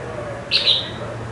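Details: Red-whiskered bulbul kept in a cage for five months gives a single short, bright high note that swells twice, against a quiet steady hum.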